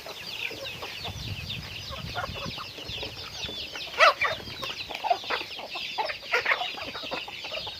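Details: A chicken flock during daily activity makes a constant wash of high chirps, and sharper louder calls stand out around four, five and six and a half seconds.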